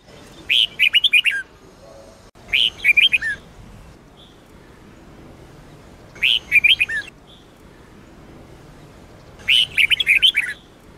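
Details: Red-whiskered bulbul of the Sông Kôn line, singing for use in daily training of other bulbuls: four short, bright, tumbling phrases of rapid whistled chirps, spaced a few seconds apart, with a soft note between phrases.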